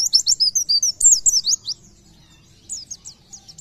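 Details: Short burst of Oriental white-eye song in the 'gacor nembak' style: about a dozen loud, sharp, high chirps in quick succession, then a gap and a few softer, thinner notes.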